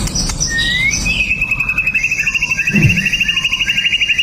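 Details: White-rumped shama singing to stir other males, phone recording: a rising whistle leads into a long, even, rapid trill of repeated notes lasting about three seconds.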